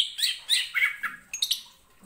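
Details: Greater green leafbird (cucak ijo) pouring out a rich, chattering song meant to provoke rival singers: dense, buzzy, tumbling warbled notes in quick succession, followed by a few sharp high chips.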